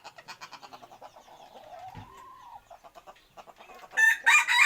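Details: Chickens clucking in a steady run of short repeated pulses. A drawn-out rising and falling tone sounds in the middle, and a loud, harsh burst of calling comes at the end.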